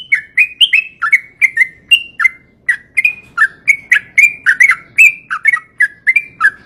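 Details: Yellow-vented bulbul singing a steady string of bubbly, slurred whistles, each note dropping or rising slightly, about two notes a second with brief gaps, over a quiet background.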